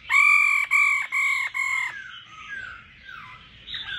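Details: Laughing thrush, with a female calling to stimulate a male to sing: four loud, nasal, evenly spaced notes, then quieter sliding whistles that rise and fall.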